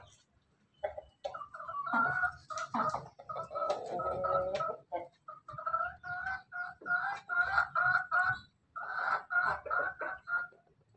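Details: Pelung crossbred with Bangkok laughing chicken, heard in the afternoon giving a long broken series of rhythmic clucking, laughing-style crow notes, many short bursts in quick succession across ten seconds.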